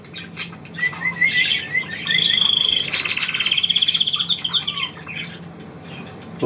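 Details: Pet bird trilling when called on by its owner: soft upward chirps repeated several times, then a bright sustained trill and a pulsing rolling trill before fading.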